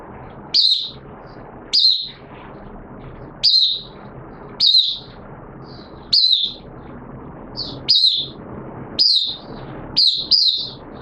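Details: Oriental white-eye (mata puteh) in a cage on a wet day, 6 September 2022, repeating sharp high falling notes every one to two seconds, occasionally doubled, above an even low rumble of noise.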